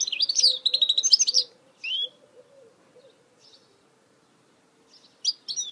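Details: Hybrid goldfinch (mule) giving a rapid, high, rattling trill phrase, then a single downslurred chirp, near silence, and a final pair of sharp twittered notes.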